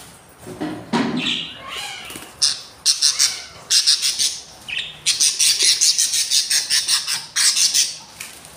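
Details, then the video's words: Three hungry budgerigar chicks, four days after hatching in a breeding nest: loud, raspy, hissing begging notes repeated in quick bursts, after a few softer squeaky chirps at the start. "beautiful hungry chiks"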